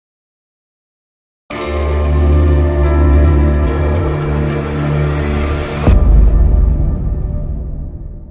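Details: Electronic music with sustained deep tones and dense layered harmonics begins after a second and a half of silence, swells steadily, then shifts to a heavier low rumble near the six-second mark; no animal voices are present.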